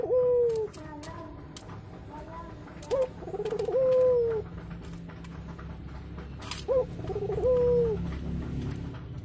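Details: Local Barbary doves, a pair courting inside their nest, a sign they will soon lay eggs: soft, rolling coos in pairs every few seconds, with sharp clicks and tapping from the enclosure between calls.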